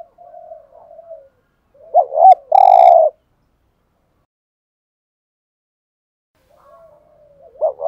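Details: One urging coo phrase from a spotted dove kept as a decoy for luring others: soft low notes, a wavering double note, then a long buzzy coo. Several seconds of silence follow before the next phrase begins.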